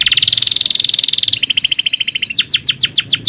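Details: Canary's long rolling song, used as a tutor to prompt canaries and teach young birds. A fast buzzy trill gives way to a finer, higher rattle, then to sweeping down-slurred whistles repeated about three times a second.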